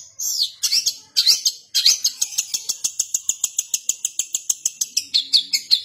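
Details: Long-tailed shrike in kasaran style: a few looping whistled notes, then a fast, even series of sharp clicking chips, about five per second, ending in more whistles.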